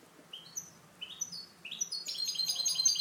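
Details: Short stretch of canto limpio from a kept goldfinch hybrid: a few rising high chirps, spaced apart, quicken into a fast shimmering trill of tightly repeated notes.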